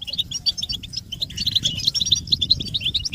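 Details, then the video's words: European goldfinch batbata twittering, calls meant to stimulate males to sing: quick clear tinkling notes in rapid, slightly irregular runs, some liquid and sharply pitched, over a steady low murmur of background noise. "بتبتة الحسون تحفيز الحسون على التغريد والهيجان علاج صمت الحسون goldfinch stimulation"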